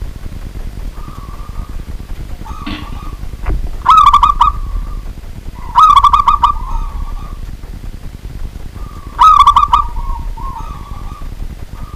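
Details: Local wild-type Zebra dove singing actively at night: soft rolling coos broken three times by louder, brighter rattling bursts two to three seconds apart. Quieter purring trills fill the gaps over a faint low hum.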